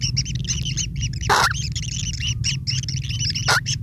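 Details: Long-tailed shrike chicks begging while a parent brings food: rapid, harsh, rasping notes in quick succession, with two short loud rustling bursts and a steady low rumble beneath.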